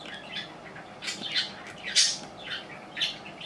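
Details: Captive budgerigar aged three years five months chattering with quick, scratchy rising and falling chirps in short repeated bursts, one louder harsh note near the middle, no other sounds.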